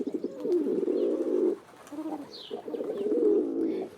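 Doves cooing: low, soft, throaty purring coos in two drawn-out phrases, with a quieter coo between them and a faint higher chirp from another bird.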